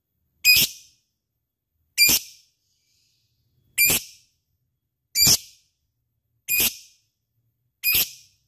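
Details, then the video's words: Lovebird in 'ngekek' song style, a harsh chattering 'cik cik cerrr' burst repeated six times, roughly every 1.4 seconds, each burst brief and high with a scratchy edge. "LOVEBIRD cik cik cerrr,suara brung labet ngetik ngekek gacor"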